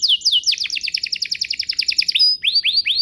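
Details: Canary song serving as a prompt for other canaries to respond: a swift series of downslurred notes repeated around eight per second, then a brief high whistle and two rising slurred notes.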